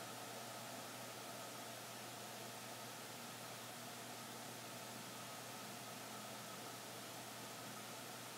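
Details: Even, steady hiss of broadband noise with a faint low hum, and no animal calls.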